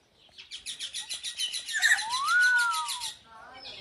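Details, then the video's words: Common hill myna said to be uttering "Allah": a rapid series of even pulsed notes, then a loud, clear whistled note that rises and falls in one smooth arch, followed by softer wavering notes. "Burung Beo Mengucap Alloh"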